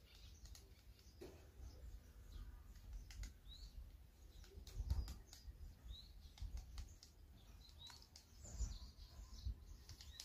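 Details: A Japanese pygmy woodpecker pecks vigorously at a large pine in a garden, scattered sharp wooden taps at an irregular pace, with faint high chirps from small birds and a steady low rumble underneath.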